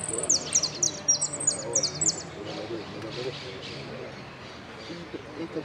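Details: El Cristalino style song from a saffron finch, built of prio, golpe and pitadas. Shrill, high chirps repeat rapidly for about two seconds, then fade. Voices chatter in the background the whole time.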